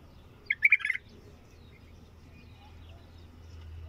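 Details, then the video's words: Short bulbul song phrase of four or five quick, bubbling warbled notes in half a second, then only soft low background hum. "تغريد بلبل طور"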